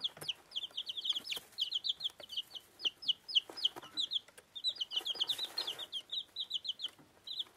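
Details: One-week-old bantam Plymouth Rock and bantam Rhode Island Red chicks eating, giving a dense stream of rapid, high, thin peeps, many overlapping, with sharp clicking pecks at food throughout.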